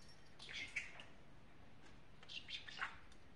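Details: Pet talking parrot indoors, two short bursts of raspy, speech-like chattering with bright chirpy notes, separated by a quiet pause, over low background hum.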